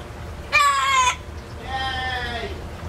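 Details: Talking pet parrot, kept in a cage when taken out of its indoor aviary, giving a loud, strident harmonic note followed by a longer, softer, slowly falling drawn-out call, like an imitated crow.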